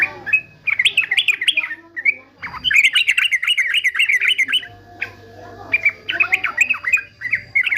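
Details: Caged fighter male yellow-vented bulbul kept for training other birds: lively, wavering warbled phrases in bursts, a short pause with a brief noisy rustle, then another long bubbling run and a final lilting phrase.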